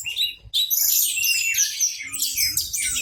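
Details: Loud song of a caged Orange-headed thrush displaying its open tail; a short, packed run of high squeaky whistles and trills, with faint low room rumble underneath.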